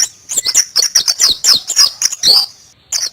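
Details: Wild white-eye (Zosterops) delivers a fast, continuous stream of high chirps and rolling twitters, ending after a brief pause with one more note.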